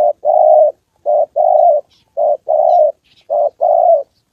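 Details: In Gia Lai, Vietnam, a decoy spotted dove trains on the 2 September holiday as a wild bird and a female arrive. It gives steady two-part coos, each a short note and then a longer hoarse one, repeated evenly.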